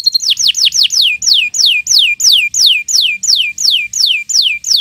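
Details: Canary song: a steady series of bright, downward-slurred whistled notes, about three per second, each falling sharply from high to lower pitch, repeated evenly throughout.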